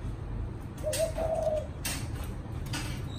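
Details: Caged spotted dove from Vietnam, with a "chạm đồng" coo style, utters one short hollow coo phrase, interrupted by brief rustling and knocking noises against a low background hum.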